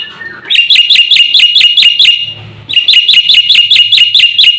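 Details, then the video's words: Javan pied starling in packed, busy song meant to provoke nearby birds: fast strings of loud, grating, evenly repeated notes, about two seconds each, split by a short quiet gap with faint low rumble. "jalak putih gacor full isian ini sekali bunyi bikin emosi burung sekampung"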